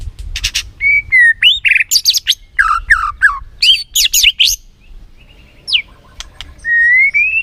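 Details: White-rumped shama song used as a lure to rouse a lazy shama into excited, full singing: clear whistled notes, rising and falling slurs, sharp high chirps and a long rising whistle, with short pauses between phrases.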